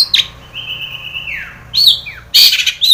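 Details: Long-tailed shrike song used as a lure to make captive shrikes sing, full of mimicked fill-in phrases: a long flat whistle sliding downward, then sharp high chirps and harsh bursts in quick, irregular succession.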